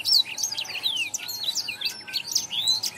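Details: Black-throated canary song used as a tutoring recording for training caged birds: a dense, fast run of high, thin whistles and twittering notes with downward slurs, sung without pause, over a faint steady electrical hum.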